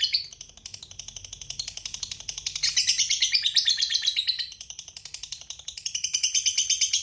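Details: Lovebird in extended 'ngekek panjang' chatter, a long, continuous, high-pitched rattling trill of fast, regular pulses that rises and falls in intensity throughout the seven seconds, without pause.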